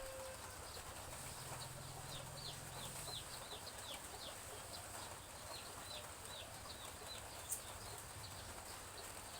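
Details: Chicks in a village yard behind a house on a morning of soft drizzle: a steady stream of short, high, downward-sliding peeps, several every second, over the constant hiss of light rain.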